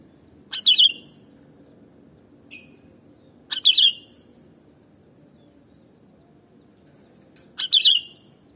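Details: Sooty-headed bulbul song, played to stimulate other birds: three short bubbly whistled phrases, sharp rising-falling notes about three seconds apart, with a faint single note between them over low steady background hum.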